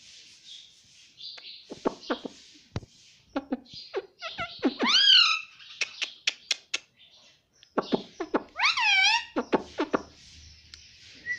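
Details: Indoor pet rose-ringed parakeet talking: two drawn-out, wavering nasal utterances set among many sharp clicks and short chatter, with brief quiet pauses in a small room.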